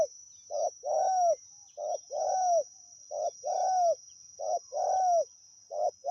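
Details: Spotted dove, a wild bird during decoy luring, repeating paired coos roughly every 1.3 seconds. Each pair is a brief clipped note and then a longer mellow, arching coo, over a constant high insect drone.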